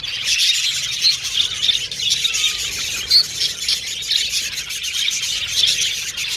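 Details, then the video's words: Pet budgerigars chirping, singing and communicating with each other in a dense, continuous chatter of high warbles and squeaks, with occasional clicks in the background. "Budgies Chirping Sound"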